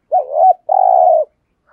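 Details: Single coo phrase from a lure spotted dove used to excite wild doves: a rising-falling first note, a brief gap, then a long level, slightly pulsing coo.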